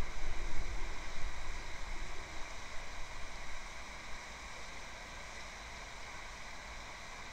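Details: Steady broadband rumble and hiss like wind or distant traffic, louder during the first four seconds, with no animal calls.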